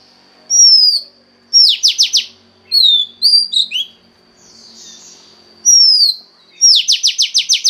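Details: Female Oriental magpie-robin used to arouse a male, singing falling whistled phrases alternating with fast trills of descending strokes, plus a few short varied warbled notes between.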